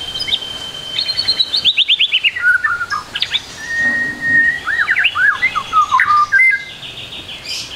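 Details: White-rumped shama phrase-filled tutor song for young birds: long steady whistle, a descending trill, a level whistle, then quick looping slurs and a high rattle.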